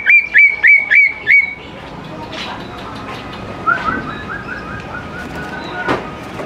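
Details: Greater green leafbird singing, used as a lure to get young leafbirds to sing along: five loud, clear whistled notes in quick succession, each with a sharp upward flick, then a faint, softer warbling trill over steady background hiss.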